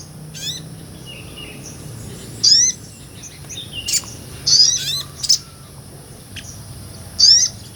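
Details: Nectar-feeding sunbird singing ngobra style, recorded live as tutor song for other songbirds; isolated piercing high chirps and short sharp twitters separated by pauses of one to two seconds.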